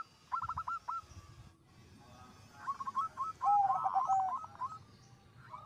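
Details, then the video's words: Zebra doves singing vigorously, one bird setting off others: a short rattle of clipped coos, a pause, then overlapping rapid notes and a louder low smooth coo. "Suara Perkutut Gacor Suara nya bikin Burung Perkutut Lain Ikut BUNYI"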